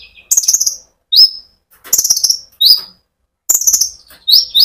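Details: Sunbird (konin) in full rolling song, played as a lure to rouse other sunbirds. Bursts of high, sharp chirps alternate with short upward-sweeping whistled notes, repeated in quick phrases separated by brief pauses.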